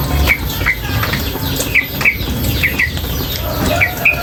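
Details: A female sooty-headed bulbul gives sparse, sharp high chirps, singly or in close pairs roughly every half second to a second, set against steady flowing water.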